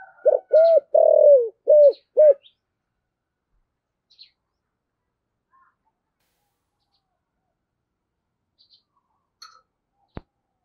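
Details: Spotted dove kept as a decoy, singing in 'giọng thổ' style, gives one brief phrase of four coos, the second long and falling. Near silence follows, broken by a few faint ticks and a click.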